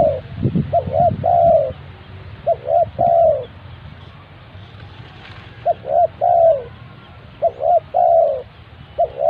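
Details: Lure spotted dove used for trapping birds, calling in soft repeated coo phrases: a quick pair of short notes, then a longer sliding note. Phrases come in bursts with short quiet gaps, and some low thumping is heard early on.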